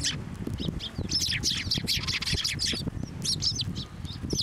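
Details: Sparrows flocking onto a hand to be fed at a Tenmangu shrine, recorded 18 March 2024; dense overlapping high chirps and squawks from many birds, with handling and low rumbling noise beneath.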